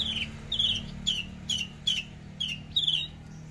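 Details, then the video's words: Javan bush lark in trotol, tembakan song: seven sharp, high, downslurred chirps repeated about every half second against a constant low hum. "Branjangan javanica lepas trotol tembakan sadis"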